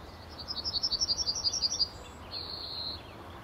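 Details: Male yellowhammer perched in a tree at the entrance to a car park, RSPB Fowlmere, late March 2015, early morning: around fourteen rapid high chips followed after a pause by one long drawn-out note.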